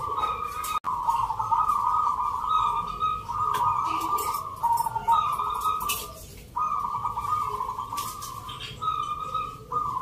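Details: At a zebra dove contest in Yogyakarta, Indonesia, judged on the Nglagu Ngepat Mentaraman style, many birds give almost continuous trilled cooing over ten seconds, with brief breaks. A sharp click sounds near the start, and crowd murmur continues.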